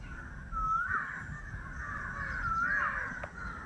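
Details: An Indian peafowl (Pavo cristatus) in a village gives two loud, nasal, wailing calls about two seconds apart over a steady low background rumble.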